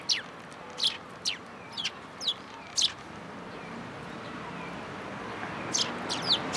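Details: Sparrows visiting a feeder on a plum tree at a Tenmangu shrine, 14 March 2023: short, sharp chirps dropping in pitch, given singly about every half second, then a pause and a few more near the end, over steady background hum.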